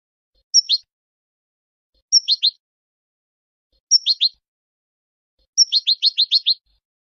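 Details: Moroccan goldfinch singing: short phrases, each opening with a thin high whistle and followed by a quick run of buzzy descending chirps, repeated about every one and a half seconds; the last phrase is longer with six rapid chirps. Quiet background.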